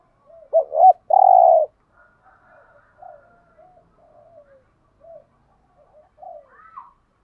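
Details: Spotted dove cooing played as a lure for wild doves. One loud phrase of two quick notes and a long, sustained coo is followed by a run of faint, soft, scattered coos and murmurs.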